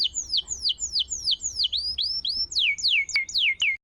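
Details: Canary song from a tutor recording played so that silent canaries start singing again: a continuous series of quick descending whistled sweeps, about three to four each second, loud and clear against a quiet background.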